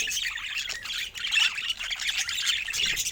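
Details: Several pet budgerigars giving playful sounds: a steady stream of rapid, buzzy chirps and squawky squeaks, overlapping in a busy, high-pitched chorus.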